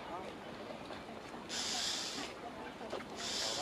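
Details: Common starlings scold a carrion crow that landed in a tree near their nests, giving two long, harsh, hissing rasps, each under a second, over a steady background rush.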